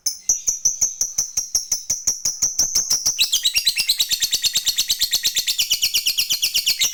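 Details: Fighter lovebird giving a long ngekek trill, used to prompt other lovebirds to trill: rapid, evenly pulsed chattering, about three beats a second, that shifts partway into a denser, harsher, higher buzzing rattle.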